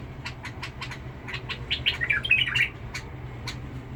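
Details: Bulbul from Basra, described in Badrawi style with a harsh-toned voice: short chirps repeated a few times a second, then a louder, rapid, scratchy warbling burst in the middle before the chirps resume. A steady low hum sits underneath.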